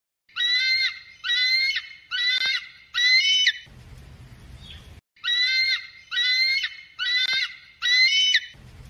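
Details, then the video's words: An eagle gives a run of four shrill, squealing calls about every 0.7 seconds, a short pause, then the same four-note series again. "real eagle sounds"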